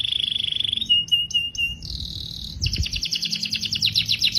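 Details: Canary singing a rapid buzzy trill, then a few short slurred notes, a steady whistled tone, and a fast rattling phrase of repeated high syllables, over a faint low background hum.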